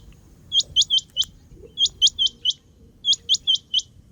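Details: Rain quail call: bright, metallic rising notes delivered in tight bursts of four, three bursts in quick succession, clean and loud against a soft low rumble.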